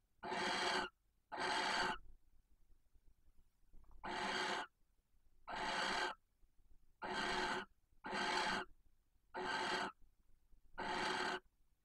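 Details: Barn owl pair at a nest box near Casa Palillos, Cabañeros National Park, Spain, during nightly mating. Eight harsh, hissing screeches, each under a second, come about one to two seconds apart, as the female intensely calls for the male before copulation.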